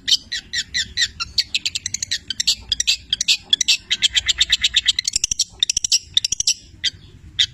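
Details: Petir-type long-tailed shrike singing actively, its song stuffed with labet and canary mimicry. Dense, fast, high chattering with buzzy twittered notes runs almost without pause, then breaks into a few scattered chips.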